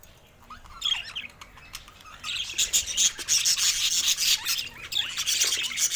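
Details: Baby budgerigar's first calls: a few soft chirps, then from the second second onward a dense, loud burst of scratchy high chatter.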